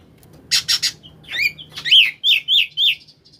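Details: Koslet-style oriental magpie-robin song, played to coax silent magpie-robins into singing; three harsh buzzy notes, then a string of loud rising whistled notes about every quarter second.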